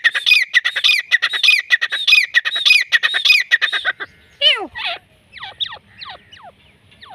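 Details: Black francolin calling in Pakistan: a fast series of harsh, ringing notes for four seconds, followed by a few scattered, descending squeals.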